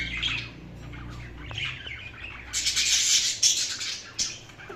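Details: Indian ringneck parakeet with soft chirps at first, then a long loud harsh screech in the middle and a few sharper squawks toward the end.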